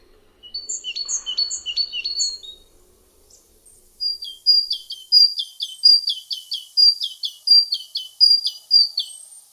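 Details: Great Tit song, a stanza built on a basic sequence of syllables that birds modify: first a short burst of high paired notes, then after a pause a steady run of about twelve bright two-note phrases, each dropping from high to lower pitch.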